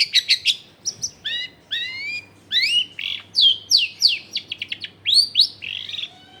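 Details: Long-tailed shrike song used to coax silent shrikes into singing; a fast run of harsh chirps, stacked rising whistles and swooping slurred notes with shifting tempo, and a faint hum behind.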